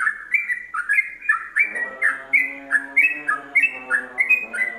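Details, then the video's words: Yellow-vented bulbul in rapid ropelan song style, used as tutor material for training songbirds: bubbly, slurred whistled notes tumbling up and down in quick succession, over a steady low humming layer of tones. "Kombinasi Ropelan Trucukan WK untuk Masteran"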